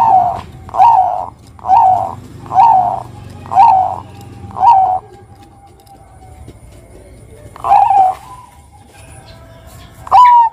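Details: Zebra dove of the Bangkok type in a purring ngerot call used as a lure: six husky coos about once a second, a pause, one more, then the start of a clear song phrase.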